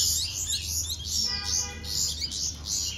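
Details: Hand-fed baby bulbuls beg with a dense run of high, scratchy chirps repeated rapidly, with a faint tonal hum underneath midway.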